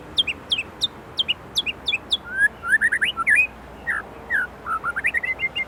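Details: Gacor white-rumped shama, Indonesia, singing with isian: a steady series of paired downslurred whistles, then varied rising notes and mixed chips in a lively phrase.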